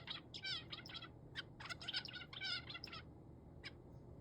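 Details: Male zebra finch reacting to crow voices, seemingly out of instinctive fear. Quick runs of short, nasal, buzzy notes with rich overtones and some downward slides, ending in a few isolated chirps over steady low background noise.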